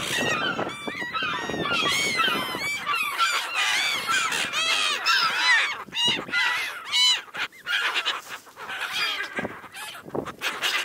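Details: Many seagulls calling at once in a busy chorus of nasal, arched cries that rise and fall irregularly over a steady hiss.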